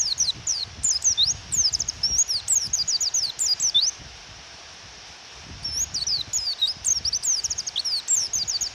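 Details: Rainy-weather recording of a female white-eye provoking a male to sing: rapid high chirps slurring downward, a busy run, a brief lull, then more quick chirping over steady rain hiss and low rumbles.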